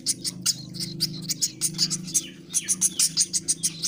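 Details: Young woodpecker hand-fed with feed begs in quick bursts of scratchy high squeaks, pausing briefly midway before resuming a fast even run of notes, with a steady low humming background.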